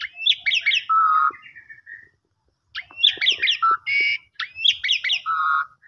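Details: Song of an Asian pied starling used to coax a sulking or stressed bird into singing: runs of quick upslurred chirps, a flat whistled note, and a harsher buzzy burst, separated by a brief pause.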